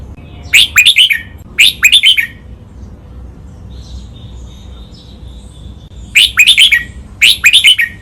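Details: Red-whiskered bulbul doubled-phrase 'lak wai' master song for training birds: paired bursts of rapid, sharp warbled notes, a long quiet gap, then two more paired bursts.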